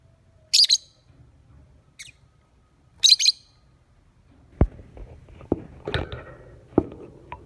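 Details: Morning lure recording of a lovebird: two harsh, high-pitched chirp bursts early on and a faint short one between them, followed by scattered knocking, tapping and rustling noises.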